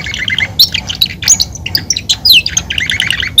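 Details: Belgian canary, a domesticated cage bird, giving a jumbled, scratchy song of squeaky chirps, short sweeps and brief trills at varied pitches, uneven in rhythm and loudness.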